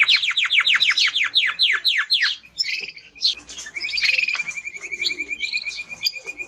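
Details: Male timbrado canary in full song: a quick run of sharply descending whistled notes, a short pause with scattered chirps, then a long, even, rapid trill on one pitch.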